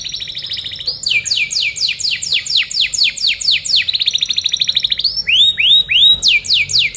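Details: Canary masteran recording for teaching other birds: a buzzy high roll, a run of loud falling swoops, a fast level trill, then rising-falling arched whistles.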